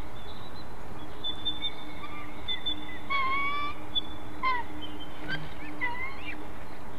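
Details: White-tailed eagles disputing prey within a family, Ķemeru National Park live camera: a long whistled whine rising slightly, then sharp short yelps and a few fainter notes, against steady hiss.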